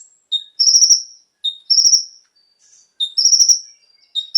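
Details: Konin singing to spur caged birds: a short clear whistle followed by a high, fast, buzzy trill, the phrase repeated about every one and a half seconds.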